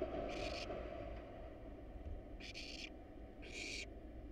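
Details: Hungry wild barn owl nestlings at a nest box with a camera, fed a rat and a rabbit, give three rasping hissed screeches of under half a second each against a steady low drone.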